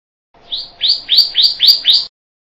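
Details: Rapid run of six bright, rising chipping notes from a Pyrrhuloxia, delivered at an even pace over about a second and a half, with faint low background hum.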